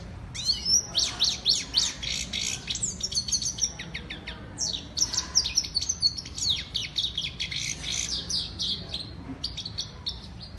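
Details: A female European goldfinch, known locally as saira, delivers a long continuous song of rapid high chirps, twittering trills and clipped metallic notes, about three to four elements each second.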